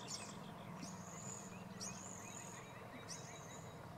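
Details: At Mammoth Park on 25 March 2022, a blue-winged teal gives three thin, very high whistled peeps, each drawn out and slightly falling, about a second apart, over a low background rumble.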